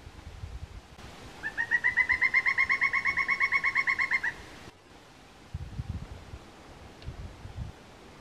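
A Pileated Woodpecker gives a loud, ringing series of about twenty even 'kuk' notes, roughly seven a second, lasting three seconds, over faint background rumble.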